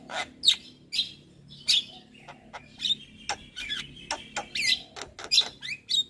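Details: Javan myna of the white-eyed type, used as a prompt for lazy singers: scattered sharp squeaks, clicks and rasping notes spaced irregularly, with a faint steady hum behind.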